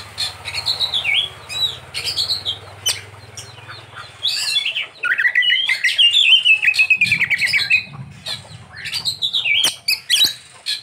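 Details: Oriental magpie-robin delivering a richly filled-in (isian) song: bright descending whistles, a long warbled trilling passage in the middle, then scratchy notes and more falling whistled phrases, over a low hum.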